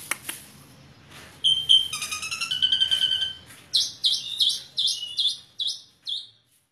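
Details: Asian pied starling in full, chatty song: a few clicks, then a dense burst of mixed whistles and buzzes, ending with a steady series of repeated bright chirps that fade out.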